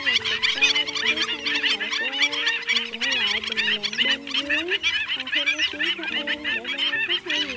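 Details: Stilts calling as a flock, a lure recording for trapping migratory birds in the late 2020 season: dense, overlapping, high sharp calls chattering without pause, over a steady, low, wavering tonal hum with bending notes.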